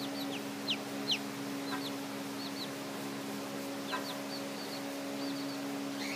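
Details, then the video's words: Silkie chickens just hatched on 28 May 2014 peep in scattered high, falling notes, single and in pairs with gaps between, against a constant low mechanical hum. "Silkie chicks hatched 5/28/14"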